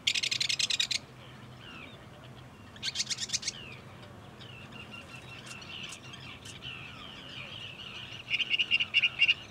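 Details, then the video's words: Northern Mockingbird in bushes beside a parking lot at Cape May Point, New Jersey, USA, sings a medley: loud harsh rattling bursts, varied whistled and slurred phrases, then a quick repeated chattering trill. "Northern Mockingbird"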